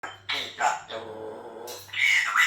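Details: Talking pet Amazon parrot, described as a little bit crazy, giving harsh, hoarse speech-like phrases with rasping bursts and a rising squawky ending, indoors.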